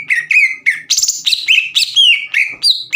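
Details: Green leafbird in full, vigorous song, used to provoke rival birds into excitement and singing: a rapid run of clear, slurred whistled notes, many sharply falling or rising, with a higher buzzy ringing note near the middle, about three seconds.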